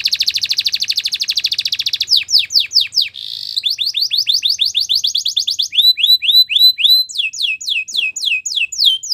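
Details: Belgian canary singing: a fast buzzy rolling trill, then series of high downward-sweeping whistles, a brief harsh burst, and further rapid repeated slurred notes, clean and loud throughout.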